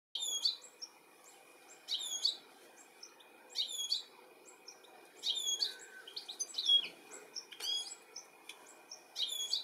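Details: European goldfinch calling while looking for its young, UK, July 2017: bursts of high, bright twittering chirps with quick down-slurred notes, repeated every one to two seconds over a steady faint background hum.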